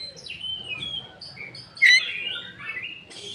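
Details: Oriental magpie-robin singing as a lure to stimulate raw, untrained birds. The phrase is soft and sliding, with a varied warble topped by one loud, sharp whistled note midway.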